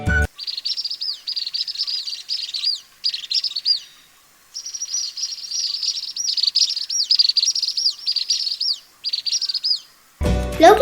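Asian Palm Swifts give high, thin, rapid trilling twitters in dense overlapping bursts for about ten seconds, with a brief pause midway; a short burst of noise closes it.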